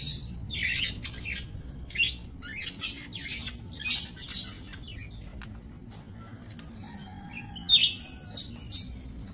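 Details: Captive budgerigars bred in a minimalist aviary, recorded 28 November 2024; short sharp chirps and scratchy calls in small bursts, quieter middle stretch, low hum throughout.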